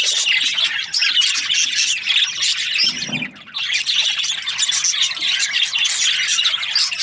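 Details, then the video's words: Budgie chirping happily: thick, rapid high-pitched twittering and warbling that drops out for a moment near the middle, then resumes just as busy. "Happy budgie chirping sounds"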